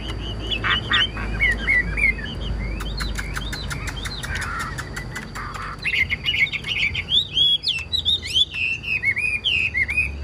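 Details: Caged Chinese hwamei singing: clear whistled notes open, then a quieter stretch with sharp clicks and wing flutter, then a lively burst of varied, looping whistles.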